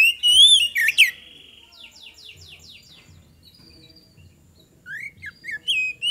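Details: Magpie-robin singing actively as a lure to get other birds to respond. A loud rich whistled phrase is followed by a faint chorus of rapid chirping trills from other birds, then more sharp whistled notes.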